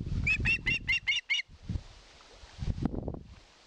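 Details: Osprey on a camera-watched nest in Satakunta, Finland, 2022, asking for fish: six quick, wavering whistled notes over low rumbling noise, followed by thumps and rustling.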